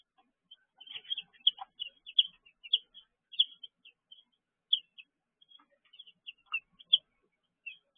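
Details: Baby chicks peeping in their brooder on the evening of June 19, 2023; clusters of high, slightly downslurred chirps, irregular and separated by short gaps.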